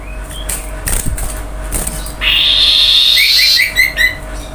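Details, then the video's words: Common iora lure song for setting other birds singing: after soft knocks comes a sustained buzzy, hissing phrase, followed by a quick series of short, bright whistled notes. "cipoh kicauan paling merdu"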